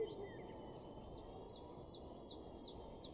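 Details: A Common Chiffchaff sings in a garden in Weener, East Frisia, northwest Germany, in April 2022. The song is a steady run of high, slightly down-slurred chip notes, nearly three per second, over a low rural background rumble.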